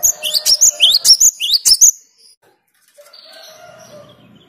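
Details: Cinereous tit (gelatik batu) delivering a two-second burst of rapid, piercing, high whistled notes in repeated rising phrases, followed by quiet with faint distant calls.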